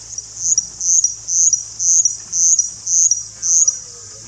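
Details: A Russet bush warbler in India, usually hard to see, repeats a high, buzzy, insect-like song phrase about twice a second, seven or eight times, over a faint low hum.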